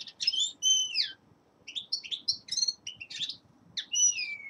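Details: Winter song of a young male linnet: descending whistled slurs and twittering chirps in short bursts, over faint low background noise.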